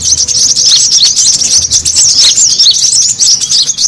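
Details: Busy, high-pitched twitter of brown-throated sunbird used as a lure to gather birds: rapid sharp chirps and short trills overlapping without break.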